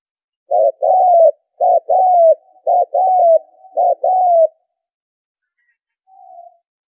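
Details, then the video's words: Spotted dove lure call used for trapping, four quick phrases of a short coo and a longer falling coo in rapid succession, then a pause and one faint soft note. "tiếng chim cu gáy kích bổi - cu gáy kích mồi - tiếng cu gáy giành cho đi bẩy"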